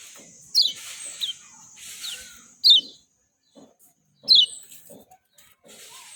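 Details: Lombok lemon-bellied white-eye calling with loud, clear falling chirps about every one and a half seconds, plus fainter thin notes, over hiss and quiet low drips.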